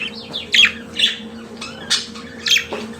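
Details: Kept budgerigar giving a few separate squawky chirps, some with quick rising or falling slurs, spaced about half a second apart against a soft steady hum.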